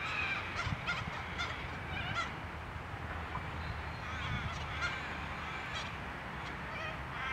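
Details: Little corellas, recording labelled 11012023, give harsh, grating screeches, several overlapping, repeated every second or so over a steady low rumble.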